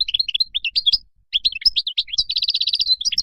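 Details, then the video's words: European goldfinch singing wild-style song used to tutor young birds: rapid tinkling twitter of high, quickly changing notes, a short pause, then a denser run ending in a fast, even trill of repeated notes. "تغريد الخلوي أو البري لطائر الحسون"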